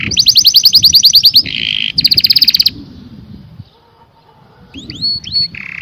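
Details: Canary singing bursts of rapid bright trills separated by a buzzy rattle, then a quiet pause and a few sharp down-slurred whistles ending in another buzz.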